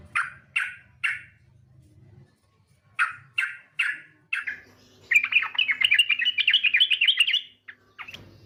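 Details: Yellow-vented bulbul female calling a male, used as a lure: a few separate harsh, buzzy squawks, then a long, rapid chattering trill of jumbled bright notes lasting over two seconds.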